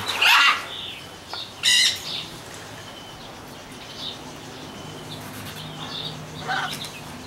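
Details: Macaws in an aviary give a few harsh, raspy squawks spaced several seconds apart, with softer chattering and possible wing flutters between them.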